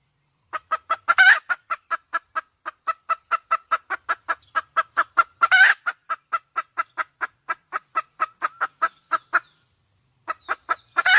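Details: Red junglefowl hen cackling in long, steady runs of quick clucks, punctuated by three loud, harsh squawks, with a short silent gap before the final burst.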